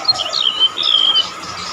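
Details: Shrill song of a Golden-bellied gerygone, kept as a tutor recording for songbirds: a clear high whistle that slides down and holds, preceded by short sharp notes, with a faint steady hum underneath.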